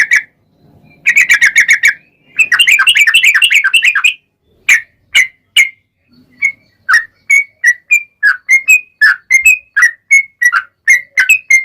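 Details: Yellow-vented bulbul, kept as a singing bird, in long rapid bubbly phrases followed by a string of separate short whistled notes around two per second, used as a lure to make other bulbuls sing; faint low hum early on.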